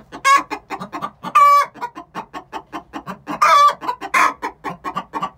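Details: Two six-month-old hens singing the egg song before laying, steady fast clucking with repeated long harsh squawks breaking in roughly every second or two.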